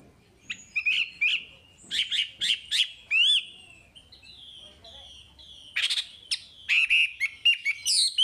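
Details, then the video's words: Chinese hwamei singing in prolific 'gacor' style, used to coax untrained caged hwamei: a varied mix of sharp chips, buzzy bursts and slurred whistles. Some notes are drawn out, with brief pauses between bursts. "Suara Wambi Gacor Untuk Pancingan Hwamei Bahan"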